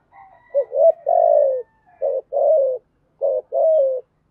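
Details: Spotted dove cooing in the local 'giọng thổ' (earthy voice) style with urging 'thúc gù' coos. Low hollow notes come in three phrases, each a short clipped coo followed by a longer, drawn-out, slightly falling coo, over a quiet background.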